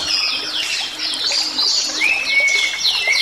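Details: Bali myna singing in full voice, a recording for tutoring songbirds: quick chattering, squeaky notes followed by a long, clear whistle that rises and then holds steady, repeated near the end.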